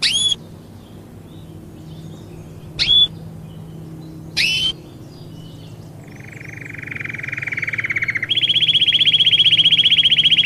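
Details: Belgian canary song for teaching young canaries: three brief, sharp, high chirps spaced a few seconds apart, then a fast mid-pitched rattling trill, followed by a louder, higher, steady trill of rapid repeated notes.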